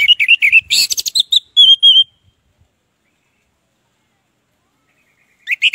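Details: Orange-headed thrush singing as a lure to prompt silent birds: a rapid run of whistled and chattering notes ending in a steady whistle, then a long silence and a brief new burst of song.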